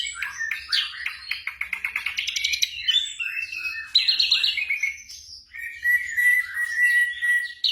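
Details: Black drongo song for night training of caged birds, combining a fast rattling trill, buzzy mid-pitched notes, and a long level whistle toward the end.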